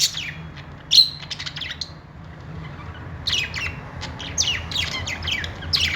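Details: Budgerigars making happy sounds: a loud squawk early, then quick rapid chattering chirps and descending scratchy notes, low hum behind.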